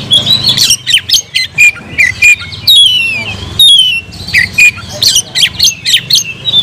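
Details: Oriental magpie-robin in a cage delivering a loud, rich song of clear whistled glides, rising and falling, interspersed with sharp chips and rattling clicks, with a faint low hum beneath.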